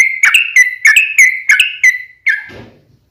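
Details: Song of a sooty-headed bulbul used to lure other birds: short series of clear, paired whistled notes about three per second, ending in a drawn-out slurred note and brief rustle.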